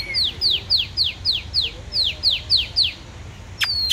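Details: Oriental magpie-robin, called a legendary warrior bird, repeating a clear, high downslurred whistle about eleven times at a brisk, even pace, ending with a sharp click and a sliding note.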